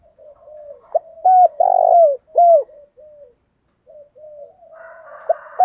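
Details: Spotted dove giving a 'thổ dồn thúc đầu' call used for stimulating decoys: a clipped note, steady coo, long burry descending coo and a short falling coo, followed by softer cooing and another phrase beginning.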